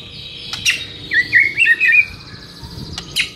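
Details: White-rumped shama song used as a training recording for captive shamas: a short cluster of quick warbled whistles between sharp clicks, over steady background noise.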